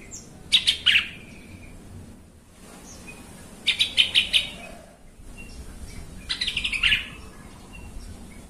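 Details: Agitating lure song of a yellow-vented bulbul, meant to set other bulbuls singing: three rapid chattering phrases of stacked bright notes, each trailing into a short whistled tail, spaced about three seconds apart.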